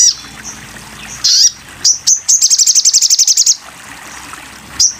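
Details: Sogon bird song used as a training recording for songbirds: scattered high, thin chirps, then a fast, even trill of very high notes lasting about a second, over a steady background hiss.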